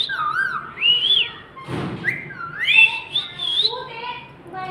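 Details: Ring-necked parakeet talking: a stream of whistled, sliding mimicked phrases and speech-like syllables, rising and falling, with a brief rustling thump midway.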